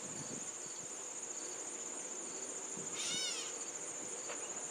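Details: Cat-like mew from a Gray Catbird addressing the person filming in a yard, Canon VIXIA camcorder recording; a lone arched, nasal mew late in the clip over a continuous high insect buzz.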